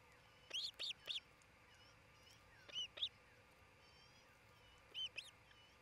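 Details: Ospreys at a Charlo, Montana nest, nest cam, 27 June 2018: three separate clusters of two or three high, piercing chirps spaced a couple of seconds apart, with faint thin bird whistles and hiss behind.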